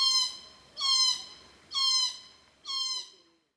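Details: Four loud, grating, downslurred calls of glossy black cockatoos, each about half a second long, recorded at their Cootharaba feeding ground where they arrive at 4.30pm to feed on Casuarinas.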